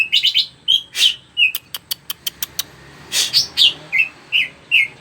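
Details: Lively greater green leafbird song meant to stimulate other birds to sing: quick chirped notes, then a rapid series of dry clicks, followed by louder rising and falling whistles and short slurred notes.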